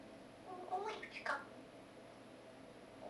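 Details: Pet African grey parrot, eight and a half months old, indoors in a small room, giving its 'sad songs': a short run of tonal, slurred notes and squeaky rising-falling whistles lasting about a second, with faint room hum.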